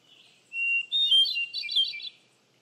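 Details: One hermit thrush phrase: a pure held whistle, then a rising, tumbling sequence of ringing, flute-like notes lasting about a second and a half, in a quiet background.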